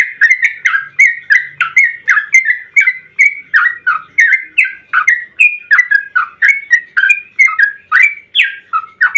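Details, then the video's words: Lure song of an excited, steadily singing yellow-vented bulbul in the long 'ropel panjang' style: an unbroken stream of loud bubbly whistled notes, each rising or dipping, tumbling out about twice a second with no pauses. "trucukan gacor ROPEL PANJANG buat pancingan trucukan agar bunyi"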